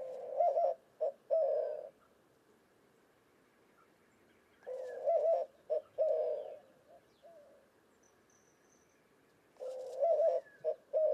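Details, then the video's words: White-winged dove cooing in western North America: low hooting coo phrases of several notes, short hoots then a longer held note, repeated in three bouts roughly every five seconds, with faint background chirps. "White-winged Dove Cooing Bird Sound"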